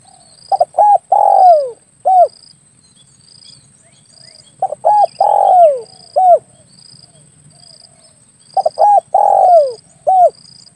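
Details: Tekukur or derkukur, the spotted dove, heard as a hunting lure call to draw doves within range of an air rifle: three repeated phrases about every four seconds, each with clipped coos, a long downslurred coo and a closing note.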